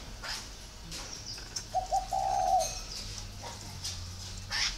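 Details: Spotted dove in Ba Vì, northern Vietnam, giving one phrase mid-clip: two quick short notes then a long soft coo, with scattered clicks and faint high chirps.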